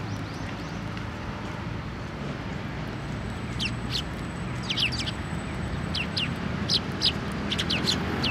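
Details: Sparrows coming to a post to be fed at a Tenmangu shrine on 1 December 2023: sharp, high chirps in irregular bunches from mid-clip onward, several per second at the end, over steady low traffic-like rumble and a faint high tone.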